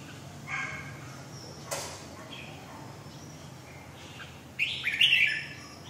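Mostly quiet, with a few soft notes and a sharp click, then a Red-whiskered bulbul gives a bright, bubbling warbled phrase near the end.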